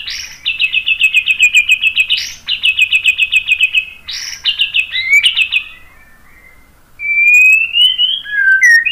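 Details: White-rumped shama song, played to make other birds answer and sing: bursts of fast, evenly repeated chattering notes, each run opened by a sharp upswept note, then a pause and long, smooth, rising clear whistles.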